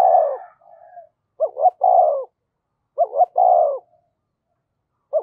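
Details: Decoy spotted dove cooing to entice wild doves: a long coo and soft trailing note, then two mellow phrases of paired short hoots and a descending coo, about a second apart.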